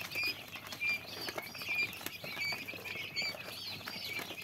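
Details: Common quail chicks calling: dense, high chirping peeps, some rising and falling, repeated irregularly, with a steady faint tapping patter beneath.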